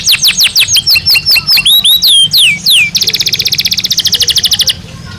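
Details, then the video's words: Belgian canary song, for training other birds: about a dozen clear downward-sliding whistled notes, a few long sweeping slides, then a fast, even rattling trill that stops abruptly. "Canario Belga Cantando Naturalmente"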